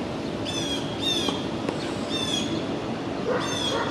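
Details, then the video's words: Two blue jays mobbing a two-month-old red-tailed hawk fledgling in Tompkins Square Park, East Village, Manhattan, New York City, on June 22, 2022: harsh, nasal squawks repeated about every half second over steady city traffic noise. "Young red-tailed hawk mobbed by blue jays"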